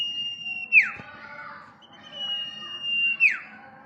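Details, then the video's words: Common iora, locally called sirpu or cipou, in full song: a sustained level whistle that drops in a quick falling slur, given twice with a faint softer note between. "Burung sirpu atau burung cipou gacor"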